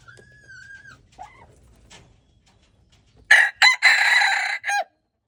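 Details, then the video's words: A red junglefowl crows on February 13, 2025. After a quiet, faint start comes a harsh four-part crow: two short opening bursts, a long sustained phrase, then a brief falling final note. "red jungle fowl"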